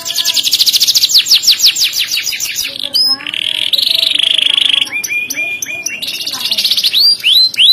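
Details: Loud, sharp kenari song with ornate cengkok phrasing sought by contest judges: fast high rattling trill, a sustained buzzy tone, then quick sweeping whistled notes and another dense trill.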